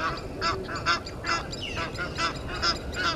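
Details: Egyptian geese defending against intruder geese at a Sabi Sand waterhole, South Africa, 17:08, 10/04/21: hoarse, nasal honks repeated steadily, more than two per second, with a brief descending squeal midway.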